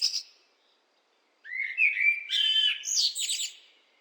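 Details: A brief high note from a blackbird, a second of silence, then one long phrase of mellow, warbled whistles that ends in a fast, high-pitched chattering flourish.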